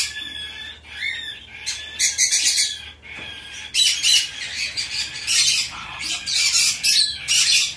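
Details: A hand-reared Bourke's parrot chick in Fukuoka, Japan, on 10 September 2024, gives short chattering squeaks, then a long run of rough, noisy squawks that overlap almost without pause.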